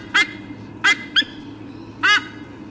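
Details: Eagle pair calling at the nest before changing over incubation duties, filmed by a nest camera at Sydney Olympic Park, Australia, in August 2014: four short, harsh, harmonic squawks, the third briefest, with quiet background hum between them.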